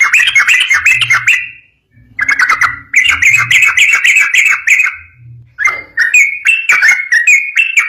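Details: Rapid 'ropel' song of a yellow-vented bulbul, meant to set other bulbuls singing back. Repeated runs of bubbly, warbling notes come in bursts with short gaps, and a faint low hum runs underneath.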